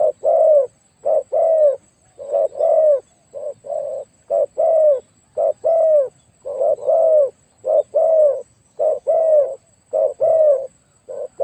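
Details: Decoy spotted dove with a very big voice cooing in a long, steady series of low two-part phrases, short note then drawn-out coo, nearly one per second.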